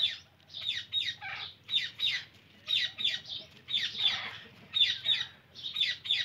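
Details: Repeated sharp, scratchy screeches from an Indian ringneck parrot, often in pairs or triplets, spaced fairly evenly through the recording with a quiet low rumble underneath.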